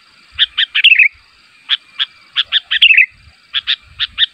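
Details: Sooty-headed bulbul calling so that other bulbuls answer: short bright chirps in quick pairs and triplets, some ending in a slurred falling twitter, repeated through the clip over a quiet background.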